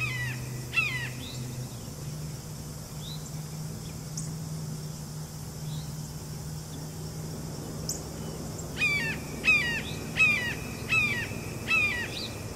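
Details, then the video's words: One of two red-shouldered hawks perched high in a tall tree gives harsh downslurred screams, two early, then a quick run of five near the end, against constant low rumble. "Two red shouldered hawks perched in a tall tree. One hawk making extensive calls"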